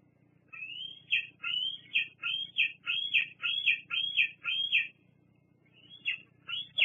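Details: Bald eagle squeeing at the Fraser Point nest on 8 August 2022 while another eagle lands nearby; a quick run of about nine high whistled chirps, each rising then dropping, roughly two per second, then a pause and two more.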